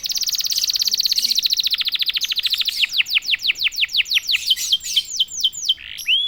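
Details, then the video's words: Domestic canary that sings at once when prompted: a long high buzzy trill slowing into distinct downward-sweeping whistled notes, roughly five per second, ending in a rising swoop. "KENARI GACOR||060|| Sekali pancing kenari diam langsung bunyi."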